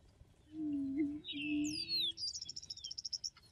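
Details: Booming of an Attwater's prairie-chicken on Texas coastal prairie: a low moaning hoot lasting about a second and a half, overlapped by a rising-falling squeal and a fast high trill of some ten notes from other birds.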